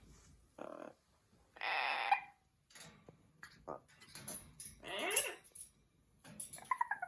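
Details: Pet Amazon parrots hanging out indoors. Long harsh squawks alternate with short raspy notes, and a clear whistled note rises near the end.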